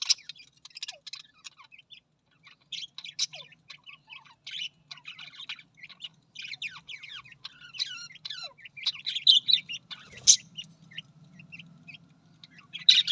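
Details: Australian parrot in long bursts of busy, scratchy warbling made of high chirps, clicks and buzzy notes, broken by short pauses, with one louder sharp squeak near the end and a faint low hum behind.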